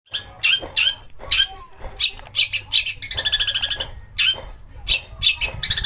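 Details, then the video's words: Long-tailed shrike song used as a lure to get other shrikes singing, full of mimicked master-bird phrases and harsh bursts: buzzy scratchy notes, high thin whistles and a fast rattling trill in the middle, with irregular phrasing throughout. "pancingan cendet agar gacor"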